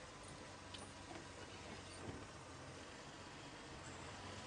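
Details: Steady broadband rumble of a moving vehicle on a morning safari drive, with faint rattles and clicks and no animal voice.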